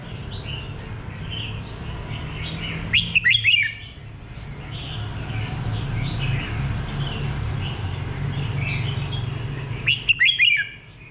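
Red-whiskered bulbul gives two loud, bubbly, warbled phrases about seven seconds apart, over soft chirping from other small birds and a low hum.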